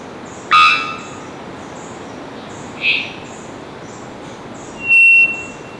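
Three-wattled bellbird giving a sudden, explosive bonk with a ringing overtone, a short squeak, then a loud, piercing held whistle, over steady hiss and faint high chirps.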